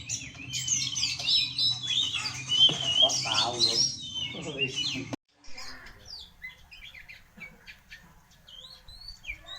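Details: Oriental magpie-robin song, played to provoke and stir up other birds: a rapid run of varied, clear whistled phrases with slurred rising and falling notes for about five seconds, then fainter scattered chirps, with a low background hum.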